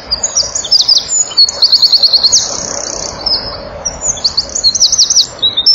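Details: Male Eurasian wren filmed by a nest-wall camera on 7 June 2012 at 16:57, singing all out to nearby females: loud, very high bursts of rapid trills and sharp twittering notes, with short pauses between phrases.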